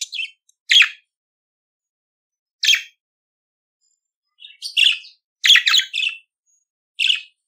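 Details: Budgerigar singing: short scattered chirps and warbled notes with long silent gaps, bright and high, several bursts clustered near the end, no other sounds.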